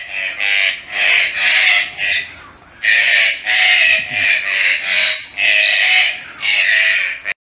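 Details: Red-breasted (green-billed) toucan (Ramphastos dicolorus), kept as a pet, gives harsh, grating "grreekk" croaks in a rapid series of about eight bursts, each under a second long, with brief gaps between.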